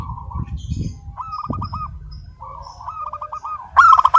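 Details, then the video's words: Local zebra dove singing without pause in a clear, crystal voice: soft low cooing trills of rapid pulses near one pitch, closing with a loud, sharp burst of stacked notes, over a low background rumble. "Perkutut Lokal GACOR SUARA KRISTAL MANGGUNG TANPA JEDA"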